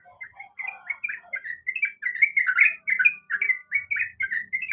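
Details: Sooty-headed bulbul female in breeding condition calling the male, starting with low soft notes, then building into loud, rapid slurred chirps repeated in a steady rolling chatter.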